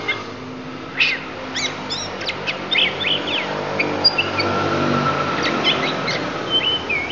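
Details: Oriental magpie-robin of the Lampung type from Indonesia singing isian, its fill-in phrases: scattered sharp high whistles and short chirps in bursts, over a constant low rumbling hum.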